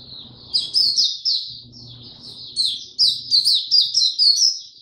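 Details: Caged Oriental white-eye singing in the tiong aw style, 25 January 2022, after sleeping late the night before: quiet start, then a fast run of high, sweet warbled slurred notes, loud and continuous to the end.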